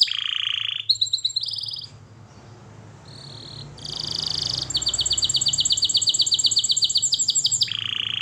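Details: Canary training song with several trilled phrases at different pitches, a quieter stretch with background noise, then a long even run of high repeated notes and a final lower trill.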